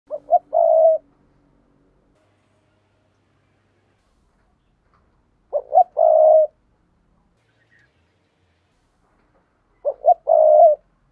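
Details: Spotted dove, a decoy cooing to lure wild doves: three phrases about every four and a half seconds, each two short low notes followed by a longer, steady, mellow coo, with quiet pauses between.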